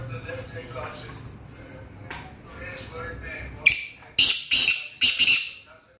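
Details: A Black francolin in Punjab, Pakistan, gives a loud burst of four or five harsh, grating, high-pitched notes in quick succession after a few seconds of quiet background murmur; Black francolin.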